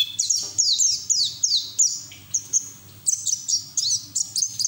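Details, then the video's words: Pleci, a white-eye, in rapid twittering song with open beak, recorded as training audio for other white-eyes; strings of very high, downward-sweeping notes in quick bursts separated by short pauses. "PLECI NGERIWIK TELER BUKA PARUH NGALAS UNTUK TERAPI PLECI BAHAN"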